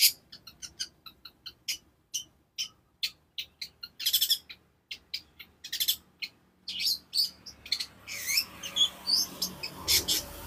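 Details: Long-tailed shrike song used as a master recording to train other birds: a rapid run of sharp, high chirps and clicks, growing into denser twittering and buzzy phrases toward the end.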